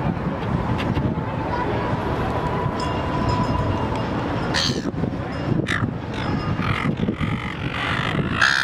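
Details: Silver gulls give a few harsh, scratchy squawks in short bursts over a steady low rumble of traffic, with faint voices in the background.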